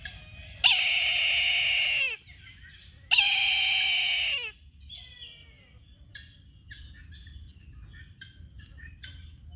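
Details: Brahminy kite giving two loud, long, harsh screaming calls about two and a half seconds apart, each held roughly one and a half seconds and sliding down at the close; faint high twittering of small birds follows.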